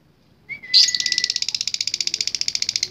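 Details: Lovebird in full voice with a long ngekek trill, used as a training recording. A brief rising whistle opens into a fast, high, evenly pulsed chatter that holds for over two seconds without a break.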